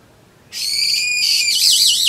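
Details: Brown-eared bulbul, recorded 26 April 2012 while drinking juice, gives a loud, strained, high-pitched screech held level, then breaking into a wobbling, warbled ending that drops away.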